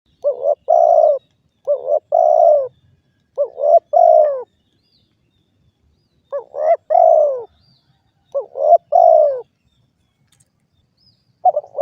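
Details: Spotted dove, known locally as derkuku, giving loud clear coos in phrases of two or three notes, each phrase a short rising note then a longer falling coo, repeated with pauses; quiet background.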